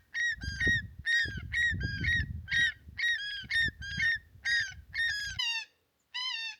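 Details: A pair of Andean geese at a low-water natural pond in the Andes above Cusco, Peru, near Huayllarcocha at about 4,000 m, give harsh, nasal squawks in quick bursts of about two per second, defensively squawking overhead at an intruder, over a low rumble of wind.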